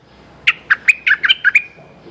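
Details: Streak-eared bulbul calling a mate: a quick burst of about seven sharp chirping notes, alternating higher and lower, with a faint trailing whistle, in a quiet setting.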